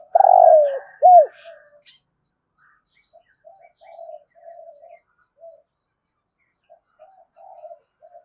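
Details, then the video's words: Thúc gù cooing of a spotted dove with the resonant thổ rền voice: a loud rolling coo and arched coo end a phrase, followed by softer repeated coos and faint answering calls further away. "Tiếng cu gáy thúc gù giọng thổ hay rền rền"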